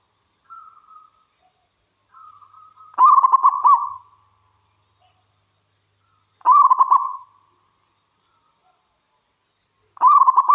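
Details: Local wild zebra dove singing tirelessly, used to entice other zebra doves into song. Soft, level coos lead into three loud, bubbling, stuttering coo bursts spaced about three and a half seconds apart.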